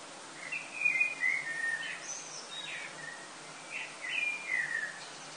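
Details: Common blackbirds singing before sunrise in summer, early August, in Lille, France: fluting, warbled phrases around mid pitch with a few high squeaky notes, two song bursts separated by a short pause, over a steady hiss.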